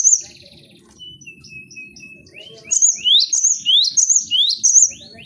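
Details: Cinereous tit (gelatik batu) showing its varied song on a training recording. A thin, long whistled note is followed by a fast series of rising and high flat whistled phrases, repeated rapidly.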